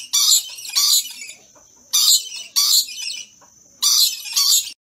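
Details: Excited rainbow lorikeet pair at play, dancing. Rasping, noisy squawks come in close pairs, five bursts in about five seconds, each harsh and broad. A thin constant high-pitched hum sits between calls.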